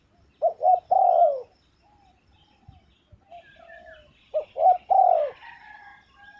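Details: Two full cooing phrases from a spotted dove, each with two quick notes and a long falling coo. Quieter soft hoots fall between them, with faint chirps of other birds near the end.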